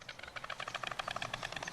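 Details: White Storks clattering their bills at Parc du Marquenterre on the Baie de Somme, France, in April: a fast, dry, wooden rattle of evenly spaced knocks, about a dozen a second, sustained throughout.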